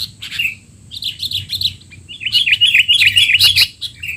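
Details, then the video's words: Sooty-headed bulbul in noisy 'teler' style, used as tutoring for young bulbuls: quick chirps and short trills, then a fast, continuous run of downward-slurred chattering notes, ending with a single fading chirp. "burung kutilang teler!! suara ribut paling cocok untuk kutilang bahan"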